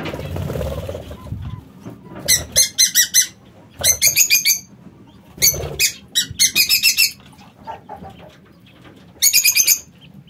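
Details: Lovebirds kept in a home aviary give shrill, harsh squeaking calls. They come in quick bursts of four or five notes, with a pause of about a second between bursts, over a faint low background hum.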